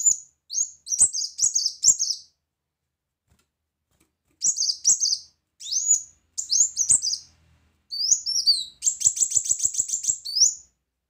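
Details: Energetic brown-throated sunbird song delivered loudly in 'tembakan' style: groups of short high chirps separated by brief pauses, ending in a fast buzzy trill of very high notes.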